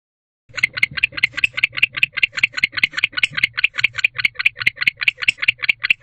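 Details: Male barn owl inside a nest box at night, 23 October, loudly calling to his bonded female to join him during the winter courtship season; a rapid, rattling train of harsh clicking pulses, about five per second, steady and unbroken.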